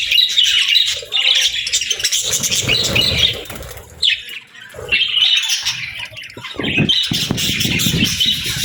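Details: Caged budgerigar parents with their chicks during feeding: loud, harsh, buzzy chattering and squawks in quick bursts, mixed with wing flapping and rustling.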